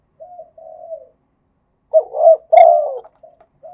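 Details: Spotted dove in Thailand cooing in the khat and nun styles: soft low hollow coos, a pair of quiet drawn-out notes, a pause, then louder accented coos in quick succession and fading short notes, otherwise quiet.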